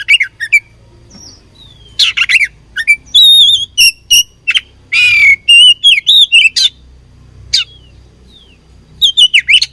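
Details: Kacer, the oriental magpie-robin, fighting: scattered sharp chips give way to a dense series of whistled slurs and a loud buzzy note, then quieter pauses and more clipped notes, over a low background hum.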